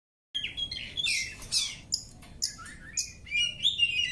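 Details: Oriental magpie-robin singing during a training session: a dense, rapid medley of varied whistles, sharp chirps and buzzy trills, mostly high-pitched, in quick bursts after a brief silence.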